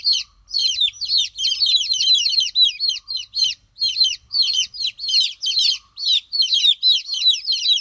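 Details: Domestic chicken chicks crying for their absent mother hen: rapid, overlapping, high-pitched peeping that slurs downward, in steady bursts throughout, with a faint low hum in the background.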